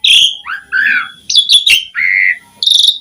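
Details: Asian pied starling song used as a lure to prompt other starlings to sing: varied whistled and slurred phrases, some high and rising, others lower and buzzy, broken by short sharp notes.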